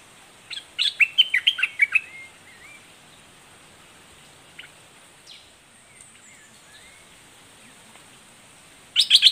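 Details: Southern dok taeng red-whiskered bulbul giving a fierce doubled-style song: a rapid run of sharp whistled notes lasting over a second, then near silence with faint distant chirps, and another loud burst of notes at the end.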